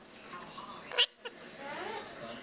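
An Indian ringneck parakeet chatters in soft, speech-like murmurs broken by a sharp, bright squawk. A woman's voice talks quietly nearby.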